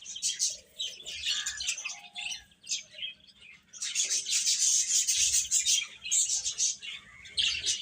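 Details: Chicks of domestic chicken peeping busily, many piercing high chirps overlapping in a restless stream that swells louder in the second half.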